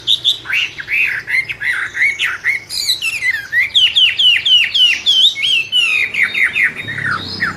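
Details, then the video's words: Captive-bred albino Chinese hwamei, a songbird originally from China, singing a loud, varied run of whistled phrases: slurred rising and falling notes, rapid repeated downslurs around the middle, and some harsh squawky notes, with a faint low hum indoors. "Kicau wambie albino"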